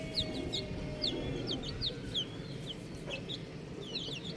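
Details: Baby chickens, several chicks, giving high, thin downward-slurred peeps in quick irregular series, overlapping one another, over a steady low rumbling background.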